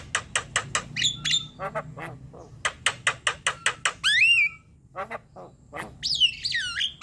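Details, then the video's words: Javan myna, kept to trigger singing in other birds, delivers rapid harsh rasping notes in a steady series, interrupted by rising and falling whistles and a loud drawn-out looping whistle near the end. "MANGGUT² sambung NGEROL PANJANG ~ Pancingan jalak kebo"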